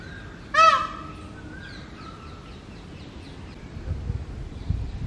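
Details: ['Rooftop male peafowl during mating season gives one sudden, piercing, harmonic cry to attract peahens, followed by softer chattering from other birds and some low background noise.']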